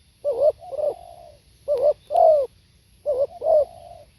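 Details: Spotted dove song: three coo phrases, each a quick wavering note then a longer note, sometimes trailing into a soft level hum, about one phrase each 1.5 seconds.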